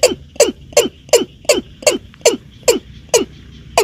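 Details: Hunters' lure audio of the Watercock, or keb-keb: a rapid, steady series of about ten hollow, downward-sliding knocks, nearly three a second, over a faint steady hum.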